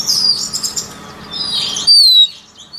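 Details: White-rumped shama song played for voice training of shamas: clear high whistled phrases, a long sweeping note near the start and a sharp bright whistle late, over a low steady hum.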